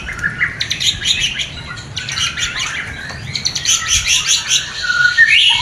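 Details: White-rumped shama (murai batu) mating song for a fresh breeding pair: fast buzzy chatter and rattling notes mixed with brief whistles, building to a rising whistled phrase at the close, faint rumble beneath.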